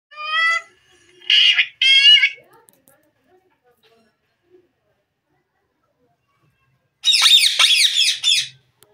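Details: A green desi parrot playing in front of a mirror gives three short, harmonic squawks in quick succession. After a silent pause it makes a harsh, raspy burst of scratchy chatter lasting over a second.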